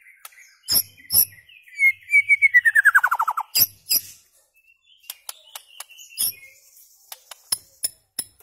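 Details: Shama song for tutoring goldfinches: scattered sharp clicking notes, a thin high whistle, then a rapid rattling trill of about a dozen notes falling steadily in pitch, followed by sparse dry ticks and a faint buzzy phrase.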